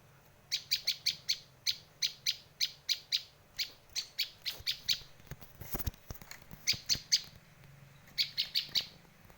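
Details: High, clipped chips of a Bar-winged prinia, used for luring birds, run in a long, fairly even series of about twenty notes, interrupted by a few clicking knocks before shorter bursts return.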